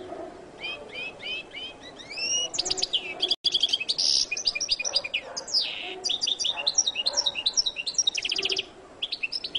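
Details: Goldfinch known locally as jilguero latino singing: fast high twittering with repeated rising whistled notes and buzzy trills, about two or three phrases a second, one short break midway, faint low background noise.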